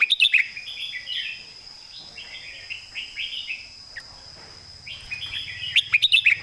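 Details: Red-whiskered bulbul, a competition songbird, sings its thick-voiced master song. Fast staccato notes open a run of fluty, slurred warbles, and a second clipped burst closes it, with a continuous high whine in the background.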